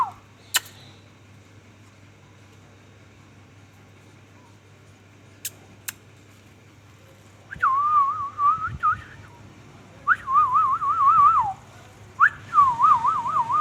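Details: Talking ringneck parrot whistling in three phrases after a long quiet stretch: each a quick warbling run of looping, up-and-down whistled notes at mid pitch, lasting one to two seconds; occasional faint clicks and a low steady hum.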